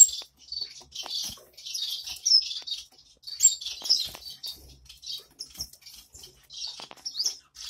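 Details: Owl finch (double-barred finch) chicks, just out of the nest, give high, buzzy, wheezing calls in quick irregular bursts, several a second, with faint fluttering between them.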